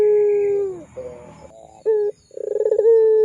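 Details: Barbary dove of the pelung type used as a lure recording for training young birds: a long steady low coo, a short coo, then a rapid pulsing roll that swells into a sustained hollow note.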